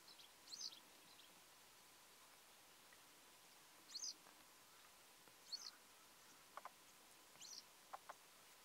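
A yellow wagtail gives four thin, high, slurred notes, one every one to two seconds, over a steady background hiss with a few soft lower clicks.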